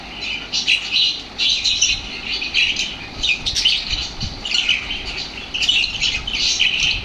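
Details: Lovebirds turning super active after hearing lovebird sounds, keeping up loud, continuous, shrill chattering in rapid overlapping bursts throughout.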